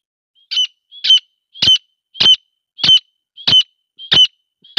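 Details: Grey francolin female giving a rapid run of strident, ringing calls, roughly one and a half per second, each opening with a thin whistled lead-in before a loud rasping burst; quiet background.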